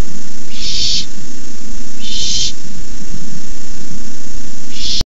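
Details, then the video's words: Barn owl nestlings hissing at night as a parent brings a rabbit, 9:57 pm: three drawn-out, raspy hisses spaced about one and a half seconds apart, with persistent deep rumbling noise throughout. "Owlets hiss."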